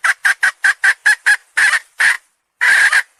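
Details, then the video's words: Hen uttering a rapid string of short, loud squawks, then a few longer harsh notes after a brief pause. "Suab Poj qaib seev zoo heev"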